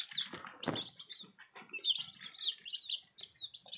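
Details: Newly arrived baby chicks give high, thin cheeps and some sliding notes amid loud scuffling and rustling, with a brief dull knock near the start.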